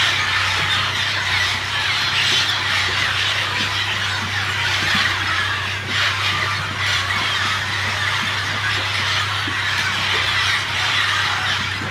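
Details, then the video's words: A deafening din of many parrots and parakeets at a clay lick at Napo Wildlife Center, Ecuador, possibly including Orange-cheeked, Blue-headed and Mealy parrots, Cobalt-winged and Dusky-headed parakeets, and Scarlet Macaws. Harsh squawks and screeches overlap continuously over a low hum. "Parrot Clay Licks"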